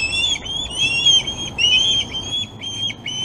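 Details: Osprey at the Glaslyn nest, 26 August, feeding day. A short run of high, sliding whistled notes, some rising then falling, repeated about twice a second.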